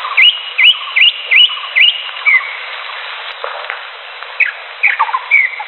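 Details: Wild greater green leafbird singing: a run of five quick upward-hooked whistled notes, about two per second, then softer, scattered slurred whistles and chips after a quiet pause.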